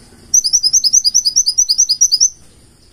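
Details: Single burst of full-isian song from a purple-throated sunbird: about two seconds of fast, evenly repeated shrill high notes, roughly nine per second, then silence.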